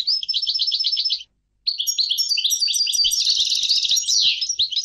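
A European goldfinch sings a fast run of bright, tinkling twitters and liquid trills, high-pitched and jumbled, broken by one short pause.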